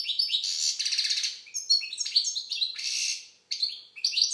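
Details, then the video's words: Algerian goldfinch (European goldfinch) with a rich, hurried song of rattling trills, tinkling twitters and nasal buzzes, pausing briefly before resuming. "Chardonneret algérienحسون. مقنين"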